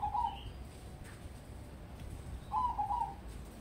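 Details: Crossbred zebra dove, a caged contest prospect, sings two short trilled coo phrases, low and mellow, separated by about two seconds of quiet with steady low background rumble.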